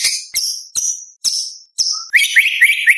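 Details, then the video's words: White-rumped shama singing competition material with 'tembakan' bursts: five sharp, high, downslurred notes at a quick pace, then a rapid tumbling run of twittering phrases. "Murai Batu Gacor Full Isian ~ Full Tembakan Materi Lomba"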